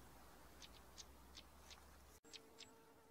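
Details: A pair of stonechats calling: sharp, clicking tsak notes and brief high whistled wheet notes, irregularly spaced, with a steady buzzing hum behind and a short dropout near the middle.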